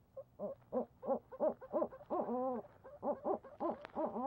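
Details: Barred Owl at Leesville, 17 March 2020 at 22:19 at night, gives a quick, uneven run of mellow hoots, about three a second, some drawn out into wavering, sliding notes, during a bird delivery. No other clear sounds.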